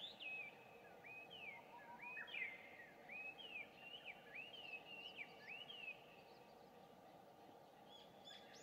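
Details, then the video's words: Introduced Chinese hwamei singing loudly at 5:30 a.m. on 2 June 2019, recorded from some distance; it sings daily at dawn and around 17:30 at dusk. Rapid run of varied whistled slurs, rising and falling, for six seconds, then faint high chirps. "これって何の鳥の囀り? ガビチョウ"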